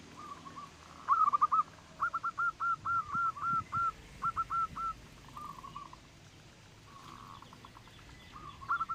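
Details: Zebra dove, local type with a loud voice, used as a lure to make other birds sing: long series of fast repeated cooing notes in rolling bursts, fading to quieter phrases, over faint low background noise.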